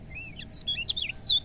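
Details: Lemon-bellied white-eye song used to stimulate reluctant birds: a short sequence of thin, high whistled slurs and quick chips in just over a second.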